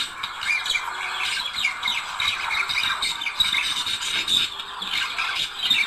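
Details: Budgerigars chattering, a sound to encourage budgies to mate: steady scratchy warbling with whistled slurs and squeaks, several birds overlapping without pause.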